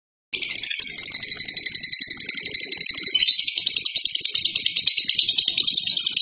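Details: Lovebird giving a long chattering call, a dense, continuous high-pitched rattle of rapid repeated notes that gets louder after three seconds, with faint clicks underneath.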